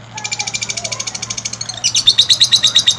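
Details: Lovebird master song intended to make other lovebirds sing long: rapid high chirps that shift into louder, harsher, more emphatic notes midway.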